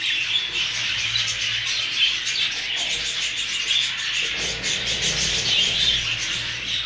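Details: A group of new Hogoromo budgies twitters nonstop, overlapping thin chirps and warbled notes with a few clearer rising squeaks, while a low mechanical hum sits steadily beneath the chatter.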